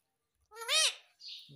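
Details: Pet Indian ringneck parrot mimicking the word "mummy": one harmonic, nasal, voice-like utterance rising then falling, about half a second long, followed by a soft breathy hiss indoors.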